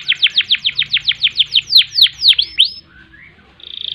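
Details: Canary gacor song with nembak shots: a rapid series of about fifteen loud falling notes that slow and stretch toward the end, a faint slurred note, then a thin steady trill begins.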